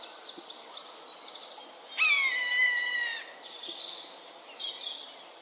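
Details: Common buzzard giving one drawn-out, plaintive mewing cry that slides gently downward over about a second, rich in overtones, over a quiet background with faint chirps from small birds.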